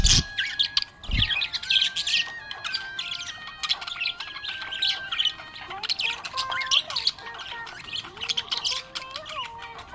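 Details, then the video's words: Happy budgerigar chirping: dense, fast warbled chatter of high twittering notes with scratchy squawks throughout, over sustained tonal notes that step between pitches like a slow background melody, with a few sharp knocks. "Happy budgie chirping sound"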